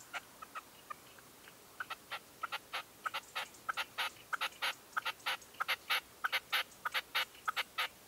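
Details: At a dawn stand in 2023, a decoy red-legged partridge gives sparse scattered notes that build into a dense, rhythmic series of harsh, clipped chuffing calls, growing louder and faster toward the end.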